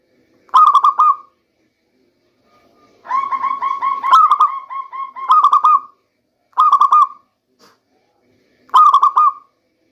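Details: Local zebra dove song meant as a lure in the rainy season: short stuttered phrases spaced about every two seconds, with one longer rolling run of quick repeated coos in the middle, otherwise silent.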